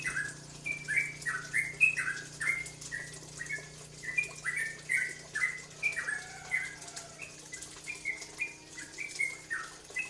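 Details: Cucak ropel, a bulbul also called trocok, used as a lure to provoke other birds to sing; short slurred whistled phrases, falling then rising, repeated steadily about every half second, with a faint low hum behind.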